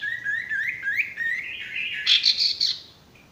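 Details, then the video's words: Male sirtu song, used to train stressed or silent birds: a continuous rising twittering warble that climbs into a brighter, higher trill before fading. "masteran burung sirtu bakalan maupun stres macet"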